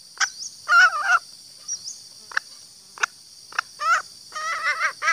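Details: Female green junglefowl calling to lure males: scattered short harsh calls, some drawn out and wavering, with gaps of silence between and a steady high hiss in the background.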